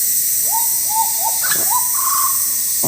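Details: Probably escaped hooded butcherbird in Sulawesi forest, Indonesia, singing actively ('gacor'), loud and melodious. Three rising whistled upslurs are followed by a brief sharp note and then a long, level, fluted whistle, heard against a constant high hiss.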